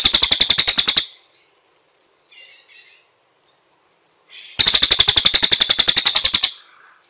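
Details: A master song of the cililin: a fast, loud trill that breaks off into a row of thin, evenly spaced high pips and soft notes before a second rapid trill of about two seconds.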